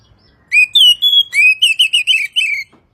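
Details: Kacer, the Oriental magpie-robin, in a morning and evening masteran recording: two drawn-out pure whistles, then a quick run of about six bright slurred notes that gradually fall in pitch, with nothing else audible.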